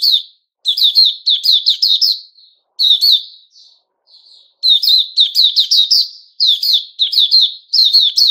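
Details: Sooty-headed bulbul (Puteh Raja), a kept bird recorded 10 July 2021, delivering bursts of bright, chirpy notes that slur downward and come in rapid runs of four to six, broken by short pauses. No other sounds are heard.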